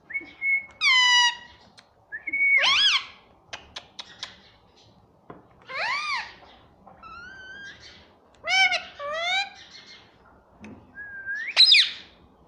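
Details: Indoor pet rose-ringed parakeet that talks, saying "mummy": a series of harmonic, speech-like squawks and sliding whistles spaced irregularly over several seconds, with soft clicks between phrases.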